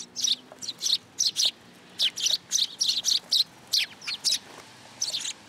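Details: Sparrows coming in for food at a Tenmangū shrine, July 10, 2022: loud, evenly spaced chirps, often in pairs, repeated throughout with brief pauses.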